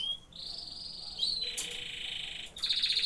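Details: Canary song with linked tours: a short whistle, a smooth high roll, a lower buzzy trill, then a crisp rapidly repeated note series.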